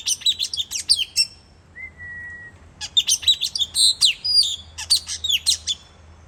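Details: Puling bird calls used for luring birds: clusters of shrill, squeaky chirps and twittering notes, broken by a single thin, level whistle, then more rapid high chirps.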